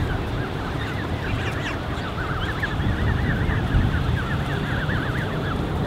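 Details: Dozens of Canada goose goslings gathered in a creche of over thirty young, June 2015, keep up a dense chorus of rising-and-falling peeps, several per second, against steady low-pitched wind-like noise.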